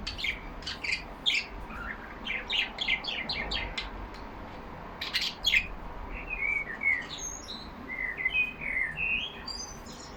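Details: Yellow pet budgerigars in a cage chattering, first with fast clicky chirps in bursts, then with smoother rising and falling whistled warbles in the latter half.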